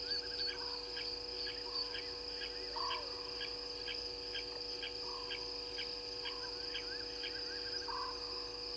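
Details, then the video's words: Scops owl at a waterhole, Gowrie dam, Djuma Game Reserve in South Africa's Sabi Sand Wildtuin, recorded around 00:16 on 04/06/20. Short low purrs come every one to two seconds over a loud, rhythmic chirping insect chorus. "Scops Owl"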